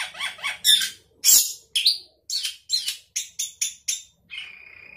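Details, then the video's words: Energetic sooty-headed bulbul song with fill-ins: loud harsh notes, then a steady series of about eight crisp chirps, closing on a softer, level, buzzy note. "Cucak keling gacor isian"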